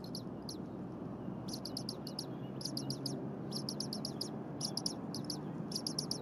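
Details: Bald eagle eaglet in a nest at Berry College, calling incessantly while its parent preps leftover prey on a January morning at 8:00 AM; very high, thin chirps in quick bursts of three to five, repeated roughly every second over steady low rumbling background.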